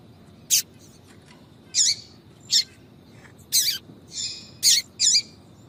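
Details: Yellow-bellied seedeater female calling to attract males, tui-tui style: seven short high buzzy chirps at uneven intervals, some with a softer trailing buzz.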